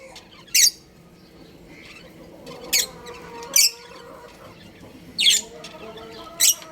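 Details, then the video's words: Pet budgerigars, a breeding pair kept at home, give five sharp, scratchy high chirps spaced one to two seconds apart, with quiet tonal background hum between them. "Beautiful Budgies Chirping Sounds"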